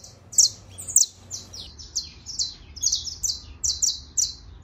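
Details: Saffron finch singing a trill of slurred, high chirps, spaced unevenly at first, then quickening, with a low hum underneath.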